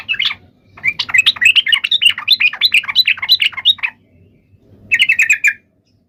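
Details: Provoking fighting song of a yellow-vented bulbul, meant to trigger answers from other bulbuls: a long sequence of rapid, bubbly chattering notes, then after a pause a short burst of harsh rattled notes.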